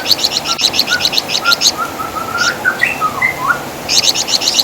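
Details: Flamboyan bird, known in West Java as Wergan Jawa, kept as a tutor singer: quick runs of high, rapid chipping notes at the start and end, with softer lower slurred whistles from another bird in between.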